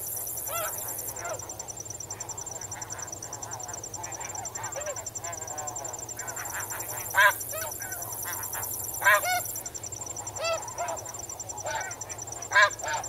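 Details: Snow geese calling as a flock while swimming and wading in water, recorded at medium-close range; repeated nasal honks with layered harmonics, several louder barks standing out, over a constant high cricket chorus.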